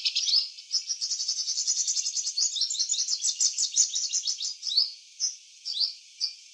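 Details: Garden-singing purple sunbird, male in eclipse plumage: a fast, high-pitched jingle of even repeated notes for about four seconds, slowing into a few separate sharp, rising chirps at the end.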